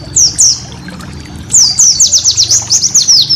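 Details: White-eye master song used to train cage birds: high descending whistled slurs, two early then a quickening run of sweeping downslurred notes, with faint low background hum.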